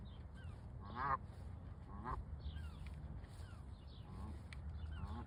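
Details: Canada geese on a pond giving loud nasal honks, a clear pair near the first and second seconds, then softer, fainter honks trailing off over a low background rumble.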